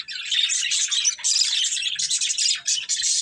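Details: Continuous high, chattering warble from a breeding pair of pet budgerigars, dense and scratchy with barely any pause.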